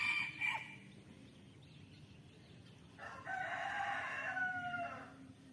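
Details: A rooster gives a long, strained crow of about two seconds with strong, steady harmonics. It follows a short, sharp earlier note, over a faint low rumble of background noise.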